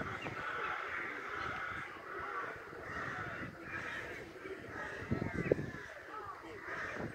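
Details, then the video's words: Loud crows at a nesting site in Hobro giving harsh, raspy caws in a steady series, several overlapping, with broad gravelly tones and occasional louder notes over a background of outdoor noise. "Loud crows nesting in Hobro"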